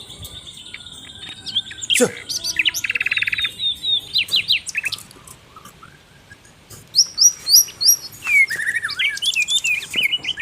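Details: Asian brown flycatcher singing vigorously on a masteran tutor track for songbirds: high, thin, varied chirps, a buzzy trill near second 3, sharp rising and falling whistled notes, a quiet pause mid-clip, then a fast burst of high notes.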